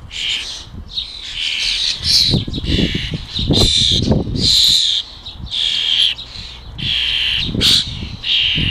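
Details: Harsh, noisy begging from young European starlings at a garden feeding spot in the UK, rasping bursts roughly every second, each with a thin whistled edge, over low knocks and rustling.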